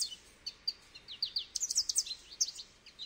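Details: Short goldfinch phrase of high, descending slurred notes that quickens into a tight cluster of bright chirps, then a few scattered tweets.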